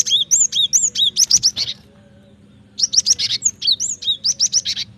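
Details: Cinereous tit song used as a lure and training recording for birds: bursts of loud, sharp chirps and quick downslurred whistled notes, rapidly repeated in two phrases separated by a short pause, over a faint low hum.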